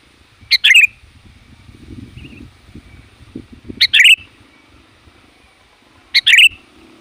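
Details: Sooty-headed bulbul with a loud, varied voice used to call in wild bulbuls: three short two-part phrases, a brief note then a bubbly warbled burst, about every three seconds, over low rural background rumble.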